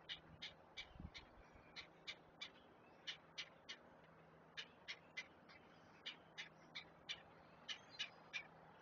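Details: Begging great blue heron chicks at feeding time on a Chesapeake nest: a rapid, uneven series of about twenty harsh, clipped notes, roughly three per second, with one low thump early on.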